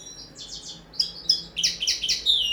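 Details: Common linnet, kept in a cage, singing on the table in a first training session: a short run of triple buzzy notes, then loud sharp chirps rising into a rapid, ringing twitter.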